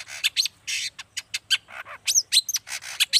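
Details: Long-tailed shrike, locally cendet, singing a quick jumble of harsh rasps, clicks and brief rising whistles to provoke other shrikes, with a soft low hum underneath.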